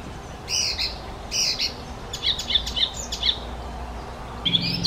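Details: Icterine warbler singing, a species known to copy other birds' songs; two harsh rasping phrases followed by a rapid series of sharp high chirps and a final squeaky whistled note, faint low hum beneath.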